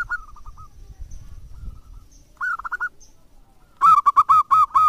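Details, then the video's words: Local zebra dove calling eagerly as a lure to prompt other doves: soft coo notes at first, then a short burst, then a loud rapid run of rounded notes with a slight rise and fall. "PERKUTUT LOKAL GACOR COCOK UNTUK PANCINGAN"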